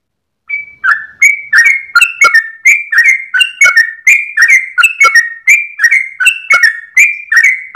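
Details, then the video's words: Sooty-headed bulbul singing gacor ropel at dawn as master audio for cage birds: after a brief silence, a regular string of two-part whistled notes, clear and loud, about two per second. "GOYANG EKOR trucukan gacor ropel panjang saat subuh pagi hari"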